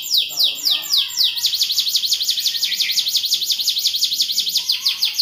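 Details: Canary song in the cengkok mewah style, gacor and vigorous: a few descending swept notes lead into a long, steady, rapidly repeated high trill with faint lower tones underneath.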